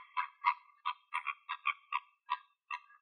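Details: Flamingos foraging in the morning in Greece give harsh, nasal honking calls, about eight short bursts in three seconds at an uneven pace, sounding goose-like and gabbling.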